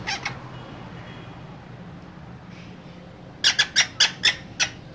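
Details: Two green parrots inside a cage: a couple of harsh notes, a quiet stretch, then a rapid string of about six sharp, raspy chatter notes.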